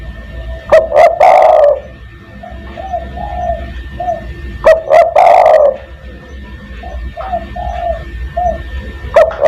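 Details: Spotted dove lure recording meant to call other doves: loud kuk-kuk-kurr phrases about every four seconds, separated by softer low coos, recording heavily overdriven.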